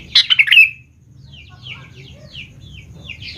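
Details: Sooty-headed bulbul song played to stir young bulbuls into calling: a short loud run of fluty, chuckling notes at the start, then quieter thin chirps and whistles from other birds, with a faint low hum.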